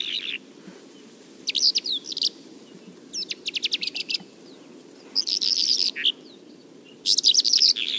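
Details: Bimaculated lark (Melanocorypha bimaculata) in Turkey sings in bursts of high, scratchy twittering mixed with rapid trilled rattles and clear chirps, phrases tumbling one after another over a faint background hiss.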